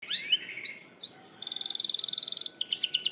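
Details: Canary song used as a lure to get other canaries singing: rising whistled slurs, then a fast buzzy trill of rapid repeated notes, and a second rolling trill at the end.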